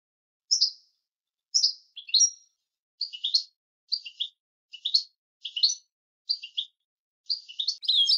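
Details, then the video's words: European goldfinch in a clean recording used for teaching song to other birds: short high, tinkling chirps spaced about every half second to one second, building into quicker twittered notes near the end, otherwise silent. "تسجيل صوت حسون لغة معتمدة للتعليم تسجيل صافي وبدون أخطاء"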